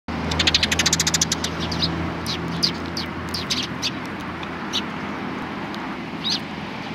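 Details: Sparrows at a Tenmangu shrine in Japan on 31 March 2020: a quick run of bright, high chirps repeated rapidly early on, then scattered single chirps, over a steady low hum.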